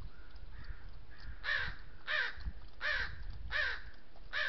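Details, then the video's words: Crows mobbing a thirsty lone coyote at a water trough in the oak woodlands of the Southern Sierra Nevada, asserting ownership. After a soft start, five loud, grating caws follow at steady intervals of under a second. "These crows are laying claim of water trough ownership, and vocalize to the coyote their disapproval."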